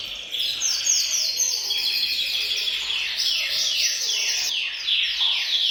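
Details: Group of canaries singing together in a bird room, a chorus meant to stimulate males to sing and ready females for mating: dense overlapping high rolling trills and sweeping whistled phrases pouring out continuously without pause.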